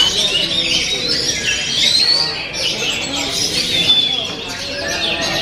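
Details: Oriental magpie-robin singing a dense, continuous run of varied whistles and chattering notes, with sweeping slurs and bright trills at a steady, busy pace.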